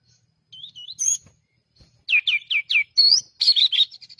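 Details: Pied triller (Lalage nigra) song: a lively burst of high, clear whistled notes, a few soft notes, then a quick run of rising slurred chirps.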